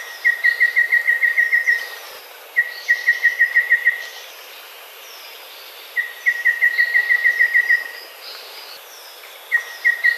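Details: Singing golden babbler repeating fast trains of clear, level piping notes, roughly eight to twelve per phrase, with phrases spaced two to four seconds apart and faint warbles of other birds in between.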